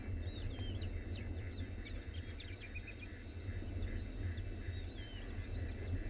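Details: A busy, feeding flock of White-faced Whistling Ducks at sunrise in Tswalu Kalahari Reserve, South Africa, 15 October, gives clear, high, slurred whistles, very noisy and overlapping, over a steady low rumble of wind or an engine.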